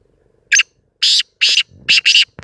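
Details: Sindhi kala tetar, a black francolin, giving a rough scratchy call of five loud rasping notes, the last two run together, over a faint low background hum.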